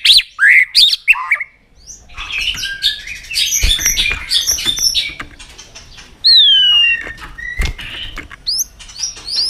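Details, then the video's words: White-rumped shama singing for training: quick whistled notes at the start, then a softer jumbled stretch of chips and rattles, and a few clear falling whistles near the end. "Kích Chòe lửa Lên Lửa, hót nhiều, chòe lửa đánh đuôi kích cực nhạy.luyện chòe lửa hót nhiều giọng"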